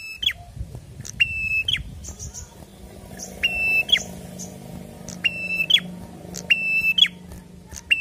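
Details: Prinia singing in 'gacor fighter' style, giving repeated paired buzzy level notes that end in quick falling flicks, interspersed with faint high chips over a steady low background hum.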